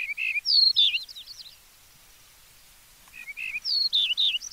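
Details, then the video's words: Yellow-breasted bunting singing clearly: two phrases separated by a pause of about a second and a half. Each phrase opens with low slurred whistles, then climbs to higher, sweeping down-slurred whistled notes. "Как поет дубровник (Emberiza aureola)"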